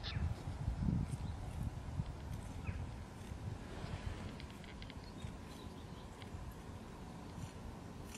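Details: An emu (Dromaius novaehollandiae) gives deep, low thudding pulses in an uneven series, loudest in the first second, with a soft hiss of background noise.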